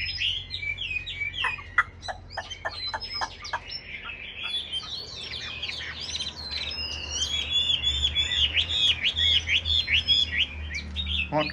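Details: Chinese hwamei in a cage begins with quick clicking and chipping notes, then builds into a long varied warble of loud whistled slurs that grows stronger toward the end.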